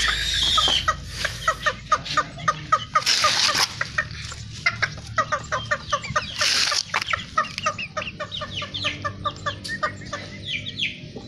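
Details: Bantam chickens about four months old, kept as breeding stock, cluck in quick, repeated bursts, with a few sharper squawks breaking through.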